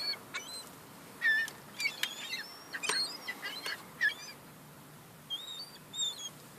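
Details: Young seagulls fighting over crumbs give a scatter of short squeaky calls and thin whistled notes, some sliding upward, spaced irregularly over the stretch against a quiet background.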